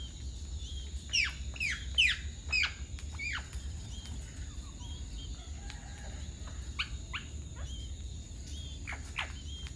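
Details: Alexandrine parakeet (Ceylon large parakeet) in Sri Lanka giving loud, harsh down-slurred screeches clustered in the first three seconds, followed by softer, scattered falling calls over constant low background hum.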